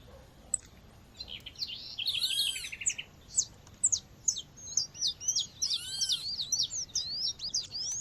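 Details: A female seedeater calls to rouse males amid nature sounds: after a quiet start, ringing stacked notes and a rattle come in, then a steady stream of short, high, twisting chirps and whistles fills the rest.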